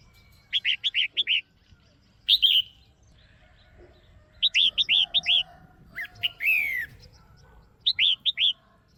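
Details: Female red-whiskered bulbul, caged, calling clearly to stimulate a male: repeated groups of five quick whistled notes alternating with single slurred downward whistles, the pattern returning several times over about nine seconds.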